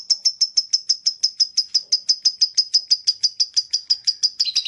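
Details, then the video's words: Lovebird giving its rapid chattering 'ngekek' song: a long unbroken run of sharp high notes, about three per second, very even in pitch and spacing, with a slight change at the end. "Ngekek makin gacor love bird"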